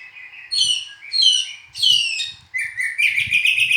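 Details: Oriental magpie-robin, known locally as kacer, singing a varied run of loud whistled phrases, some sliding and rich, ending in a rapid series of short repeated notes; faint low knocking underneath.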